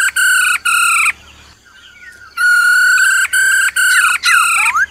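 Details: Black-throated Laughingthrush singing a forest-type song of loud, ringing whistled notes about half a second long in quick bursts; a soft, low trilling from the female fills a brief pause midway.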